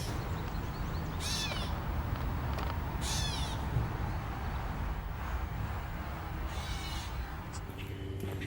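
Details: A shy Gray Catbird (Dumetella carolinensis) scolds near its nest along Taylor-Massey Creek in east Toronto, a restored habitat. It gives three or four nasal, cat-like mews, each slurring down, a couple of seconds apart, over low wind or traffic rumble.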